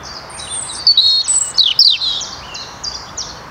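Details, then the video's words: European robin recorded in the Netherlands in 2023, giving a varied string of high, sweet, tumbling notes with rapid slurred trills and sharp downward slides, then fainter scattered phrases, against low outdoor hiss. "Roodborstje - Robin"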